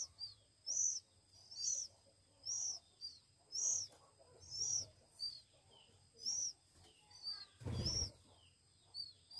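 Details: Oriental magpie-robin nestlings, one week old and being hand-fed, utter sharp high-pitched chirps repeated about once a second, with a brief loud thump near the end.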